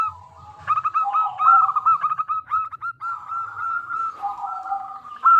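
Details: Zebra dove of the local Indonesian type, kept as a lure to make other doves call back, gives a fluid chain of rapid, clear, curling coos sliding between a high and a lower pitch.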